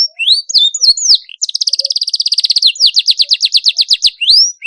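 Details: Canary song used to stimulate other canaries to sing: sweeping whistled notes, then a long rapid buzzy trill, a second trill of clearer repeated notes, ending in a rising whistle.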